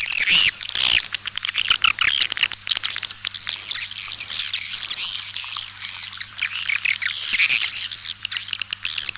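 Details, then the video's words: White-nest swiftlet call played to attract swiftlets to nesting houses in East Kalimantan: continuous shrill, chattering twitter of many overlapping high chirps, with a faint low electrical hum beneath. "Suara panggil kaltimtara"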